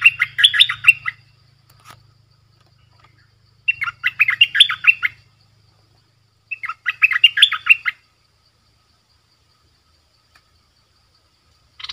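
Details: Lure streak-eared bulbul calling to attract wild birds; three separate bursts of rapid, jumbled chirping notes, each lasting about a second and a half, separated by silence, with a low hum beneath.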